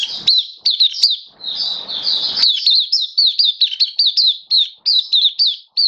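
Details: Mata Puteh, an Oriental white-eye of the Kitaro type kept as a hobby bird, singing on 27 October 2022: many short, high, hooked chirps in rapid succession, with a burst of rustling noise early on.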